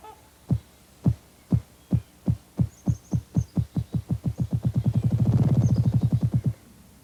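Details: A ruffed grouse drums in Missouri, where the species was restored: deep, muffled thumps starting about half a second apart, then speeding into a rapid, blurred whirr before stopping.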